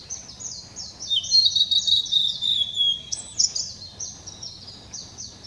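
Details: Blue-and-white flycatcher (Cyanoptila cyanomelana), recorded 7 May 2016, sings high, clear whistles that slur downward, then ends in a short burst of harsh buzzy notes. Quick, high chirps run through it.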